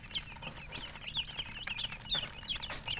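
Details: Chicken chirping beside a colored hen: quick, overlapping high peeps with short swooping notes and a few sharp clicks.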